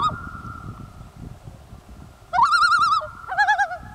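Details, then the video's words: Two common loons communicating on a lake in Kamloops, British Columbia, Canada, at the end of summer 2013: a long steady mournful wail, then rising quavering tremolo notes, the second loon answering with wavering calls over faint background noise. "Two Loons communicating on a lake in Kamloops, British Columbia, Canada"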